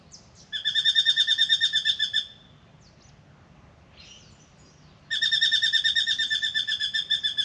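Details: Morning song of a Spangled drongo coming to drink at a backyard birdbath in Australia: two long rapid trills of twangy metallic notes, each about two seconds, separated by a quiet gap with a faint squeak.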